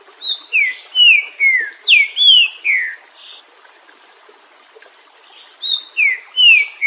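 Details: Green-winged saltator singing a run of about eight rich, downslurred whistles, followed by a pause of roughly three seconds, then a second phrase of similar whistled notes beginning again.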